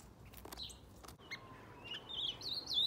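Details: Ultramarine grosbeak (azulão) kept in an aviary: after a few soft clicks and chirps, a rising, warbling phrase of high whistled notes builds toward the end.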